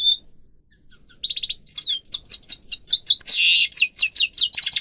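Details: Song of a grey-crowned goldfinch, offered as a training recording for caged birds: scattered thin notes build into rapid twittering, a buzzy nasal rattle, and dense tumbling chirps to the end.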